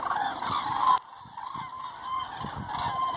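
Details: Autumn roost flight of Common Cranes at Hortobagy National Park, 2 November 2016, from a flock of thousands. A steady wash of overlapping trumpeting calls, interrupted by a sharp click at one second.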